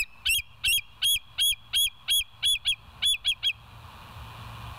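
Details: Live nature cam of bald eagles, 26 September 2023, early morning; a fast run of about eleven loud, high, squealing whistled notes, roughly three per second, then background hiss and low hum.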